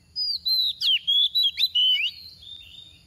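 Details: A female decoy magpie-robin sings a run of six or seven loud, clear whistled notes with sliding pitch, followed by quieter trailing phrases.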